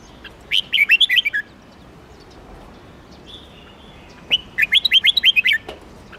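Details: Two bursts of song from a red-whiskered bulbul, each a quick chain of clear, jumpy whistled notes lasting about a second, separated by a pause with a faint thin whistle.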